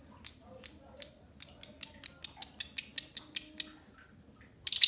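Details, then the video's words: Two green lovebirds in a long ngekek: high piercing chirps start spaced, then come faster in a rattling run for two seconds, a pause, and a final harsh squawk. "Kolaborasi dua love bird hijau ngekek panjang"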